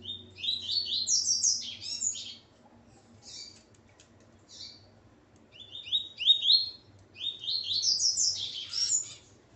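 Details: Male Coleiro with his female, singing in the Ponto 50 style; three phrases of quick upward-slurred whistles climbing in pitch, separated by short pauses with scattered faint notes.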